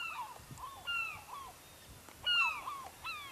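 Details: Gulls calling near a Lofoten fishing village, Norway: several sharp, falling mews, one loud harsh cry near the end, other birds answering in the distance over a faint rushing background.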